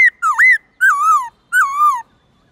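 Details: Black-throated laughingthrush, morning song in the 'forest voice' style: three clear whistled phrases, the first looping down and up, the next two wavering gently downward, spaced about every three-quarters of a second.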